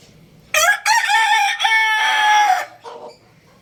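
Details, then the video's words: A young rooster kept at home with chicks crows loudly: a harsh, harmonic-rich cock-a-doodle-doo in broken segments, rising then holding long and level, followed by a short fainter tail note, with a quiet room behind. "Cute Little Rooster Chirping Sounds"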